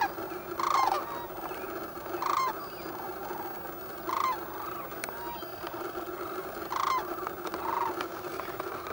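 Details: Sandhill cranes awake in heavy fog along Nebraska's Platte River, Central Flyway, filmed with a Canon 7D: distinct rolling, trumpeting calls every one to two seconds, often paired, over a constant hum of distant crane voices.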